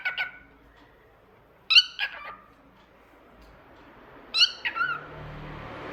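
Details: Talkative pet cockatiel singing indoors: three separate harmonic, descending whistled calls spaced a couple of seconds apart over a quiet background with a faint low hum.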